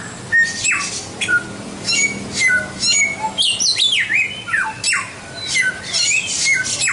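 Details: Singing white-rumped shama on a tutor recording used to train songbirds: loud, varied phrases of high chirps, steep descending whistles and quick trills, closely packed with few pauses, light hiss behind.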